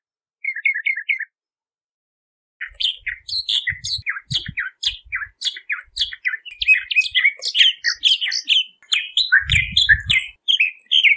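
Bahama mockingbird song: a brief opening phrase, then a long run of varied chirps, slurred whistles and harsh notes about 2 per second, with low thumps.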